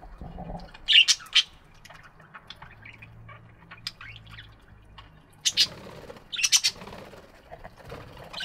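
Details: Budgies chirping in an aviary in the morning: scattered sharp chirps and squawky bursts, louder clusters near one, five and a half and six and a half seconds, with faint low rumble between.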